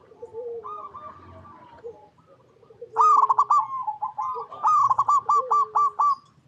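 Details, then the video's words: Local zebra dove in full song, recorded in its natural habitat: a softer, rolling coo first, then loud, stuttering runs of quick, hollow coo notes, about eight clipped pulses repeated in a rapid staccato rhythm. "PERKUTUT LOKAL GACOR Suara Paling AMPUH"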